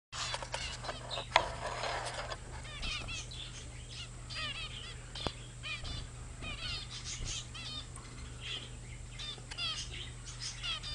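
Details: Young zebra finches, several grown-up babies, recorded 15 February 2009, giving many short nasal, honking beeps with stacked tones in quick overlapping bursts, busiest in the first two seconds, over a steady low hum and light rustling.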